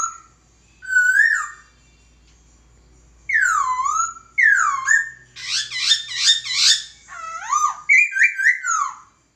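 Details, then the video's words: Master song of a laughingthrush for training: varied loud whistled phrases, including falling slurs, rising notes and a rapid harsh warbling stretch, with a pause near the start and a low faint hum under it. "Burung Poksay Masteran"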